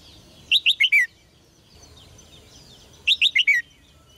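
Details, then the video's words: Red-whiskered bulbul kept in a cage, its song used to stir males into strong singing; two quick phrases of four bright whistled notes, each note curving downward, separated by a pause of about two seconds. "นกหัวจุก birds - เสียงนกร้องในกรง กระตุ้นนกตัวผู้ให้ร้องอย่างแรง"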